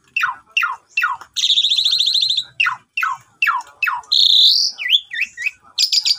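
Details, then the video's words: Javan pied starling singing, recorded on a phone as a morning lure to get a silent bird singing: a series of sharp falling whistles, a long grating buzz, a wavering whistle and a rasping finish. "PANCINGAN WAJIB TIAP PAGI !! JALAK SUREN BISU LANGSUNG GACOR MOMPA"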